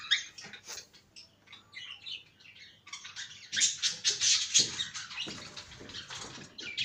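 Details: Pet cockatiel in a cage uttering soft scattered chirps that build into a dense, loud run of high chatter and squeaky notes.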